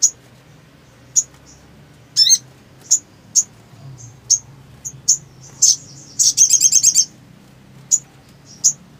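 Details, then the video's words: A black sunbird gives thin, very high chips about every half second, with a brief rapid trill and a quick rising squeak in between. "SOGON GACOR"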